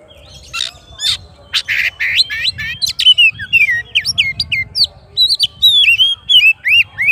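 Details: Oriental magpie-robin singing to call a rival, pouring out loud rich whistles, upslurred and downslurred notes and buzzy chirps in a fast continuous stream over a faint low rumble.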